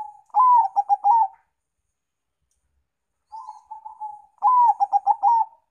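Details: Zebra dove song used to lure other birds, Bangkok and local birds: two bursts of a rising coo and rapid staccato cooing notes, separated by a quieter level trilled coo, all near one pitch.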